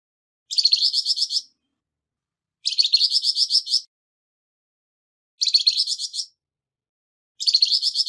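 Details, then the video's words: Flamboyan bird giving a harsh-voiced song used as tutor material for songbirds: rough, buzzy, rattling bursts about one second long, repeated roughly every two to three seconds, with silence between them. "Burung Flamboyan Suara kasar Untuk Isian Burung Ocehan Anda"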